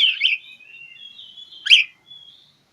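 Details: Oriental magpie-robin seeking a rival: a rich whistled warble sliding through several tones, broken by one loud harsh accent note.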